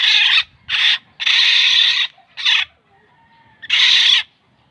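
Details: Harsh, grating scolds of a black-naped oriole, or kilyawan, five bursts in under five seconds, some short and some drawn out, with a faint thin whistle in a gap.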